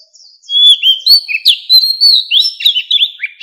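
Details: Mature wild Oriental magpie-robin singing, a lure song for attracting birds: a continuous loud stream of clear whistles, slurred rising and falling notes and quick chirps, closing with a downslurred phrase. The background is quiet.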